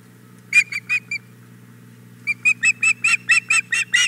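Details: Female osprey begging at the Hog Island Boathouse nest on the morning of 4 May 2017 after the male arrived with a fish: a short burst of harsh, high chirps, a pause, then a steady run of about nine evenly spaced squealing notes.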